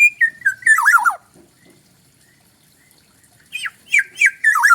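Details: Black-naped oriole from Bali, its fluting whistles stepping downward into a tumbling warbled flourish, followed after a silence by short rising whistled notes and another rich warble.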